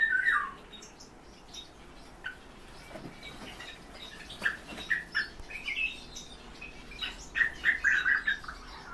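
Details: European bee-eaters in captivity give a loud opening trill, a lull, then a quickening run of short rolling calls from more than one bird.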